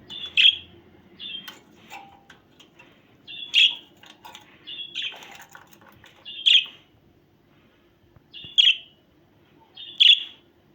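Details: Sharp budgerigar chirps come every one to two seconds, with softer twittering notes between them and a quiet pause before the final two loud calls. A low steady hum runs underneath.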